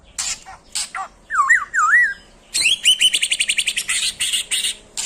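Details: White-rumped shama singing while seeking a rival: harsh buzzy bursts, then two looping whistled phrases, then a fast rattling series of about a dozen sharp notes.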